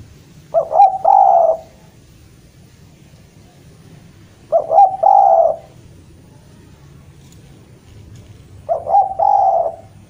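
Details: Javan spotted dove, a prolific caller, calling out to a rival: three low, mellow cooing phrases, each a short stuttered coo followed by a longer rolling coo, repeated about every four seconds over a faint low background hum.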